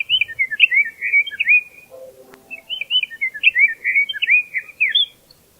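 A Western Meadowlark sings two rich, gurgling, flute-like phrases, each under two seconds and tumbling downward, with a brief low thump between them.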